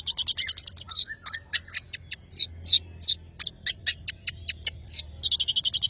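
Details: Madura long-tailed shrike in full voice, opening and closing with fast rattling trills, with a string of harsh buzzy notes and short scratchy chatters in between.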